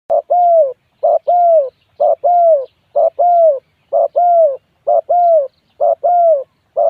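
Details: Spotted dove giving a rapid, steady series of paired coos, a short note then a longer drawn coo, repeated roughly every 0.8 seconds with very regular rhythm and no other sounds.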